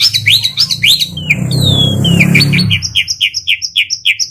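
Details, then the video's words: Asian pied starling singing quick upswept chirps and a long descending whistle over a low rumbling background noise, then a steady run of repeated rapid notes. "Suara Burung Jalak Suren"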